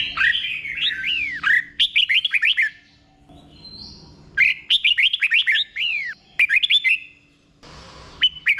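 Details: Caged-bird training song of a red-whiskered bulbul, meant for other bulbuls to copy: slow, clear doubled phrases of rapid slurred whistles, four bursts separated by pauses, ending with a short noisy hiss and faint background hum.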